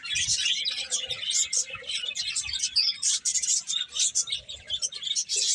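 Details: High, crowded chirping from many birds pulses in uneven bursts, with a faint lower murmur beneath the twittering.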